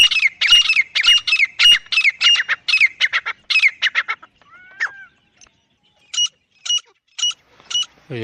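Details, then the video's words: Francolin recorded in the wild in jungle, giving a series of harsh, rapidly repeated calls for about four seconds, then a short descending whistle and five evenly spaced sharp notes about half a second apart. "Viral Acha Teetar Voice | Real Jungle Teetar Sound"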